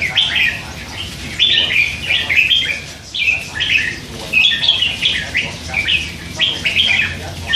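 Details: Caged red-whiskered bulbul, a hand-fed youngster of three months that chatters all day, delivering lively whistled warbling phrases in quick succession with brief gaps.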